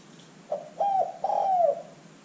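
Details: A Zebra dove (terkukur), played as a lure to make other birds call, gives a soft short note and then two drawn-out, mellow, slightly falling cooing phrases over a quiet background.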